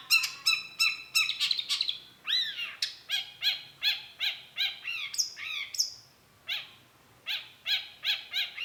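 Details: Long-tailed shrike lure song: fast rhythmic stuttering notes with a rich, layered tone, swooping slurs, a couple of high whistles, then more clipped repeated notes after a short pause.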